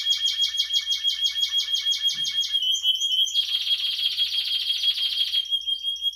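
A Timbrado canary sings high metallic rolls of rapid repeated notes, switching after about three seconds from a pulsed trill to a denser, buzzy roll.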